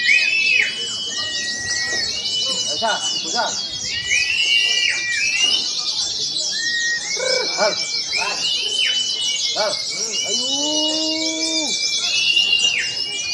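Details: Many oriental white-eyes, both wild-caught and in full voice, singing together at a special practice singing contest: a dense high twittering chorus with long flat whistles and dropping whistles, people's voices and shouts below.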